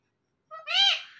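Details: Pet talking parrot, one of a male and female pair said to converse, speaks a single clear two-part word, a short lower syllable followed by a louder, rich, voice-like syllable, in a quiet room.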